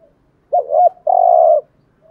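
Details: Spotted dove cooing, played to lure wild doves: a loud, low, mellow two-part coo, a short doubled note followed by a longer sustained hoot, in a quiet setting.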